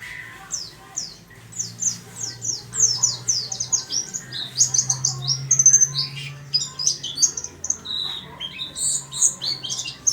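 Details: Small-caged white-eye keeps up an eager song of rapid, thin, high chirps and downward slurs, with a low steady hum underneath.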